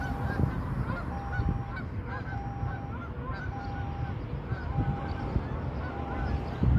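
A flock of geese honks in flight, short nasal calls overlapping in quick succession, over a heavy low rumble and a steady mechanical hum.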